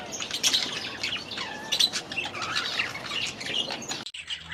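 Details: Last year's young budgerigars in their new aviary during their first days there: a busy mix of high squawks, rasping chirps and short warbled notes from several birds, cutting off abruptly near the end.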